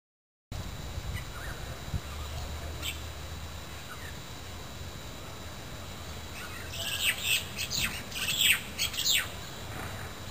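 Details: Magpie-lark (peewee), recorded 3 November 2010; quiet, hissing background for several seconds, then a burst of sharp, high, chirping notes clustered in quick succession over the last three seconds.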